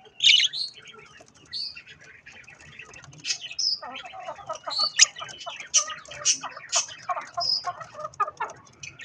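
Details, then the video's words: Budgies feeding on strawberries; lively warbling chatter with clicks, short whistles and sharp chirps throughout, several louder peaks in the second half. "Budgies Sounds while eating Strawberries"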